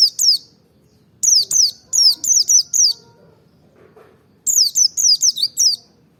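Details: Rapid, high, downslurred chirping from a Merapi forest-type white-eye meant to goad birds into song, in three bursts: two notes, a run of five, then after a pause a run of six.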